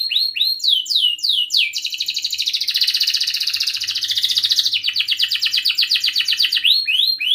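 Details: Canary song used to coax silent canaries into singing, opening with quick falling whistled notes, then a long dense buzzing trill, followed by rapid rattling chirps and more sweeping notes.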